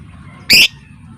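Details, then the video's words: Lovebird lure for singing and mating: a single brief, loud, harsh squawk. "MASTERAN LOVEBIRD suara Ngetik ll Ngekek Rapat"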